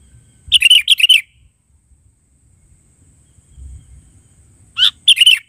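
Sooty-headed bulbul giving two bursts of three or four quick, bright, bubbling notes, the second burst about four seconds after the first; otherwise quiet.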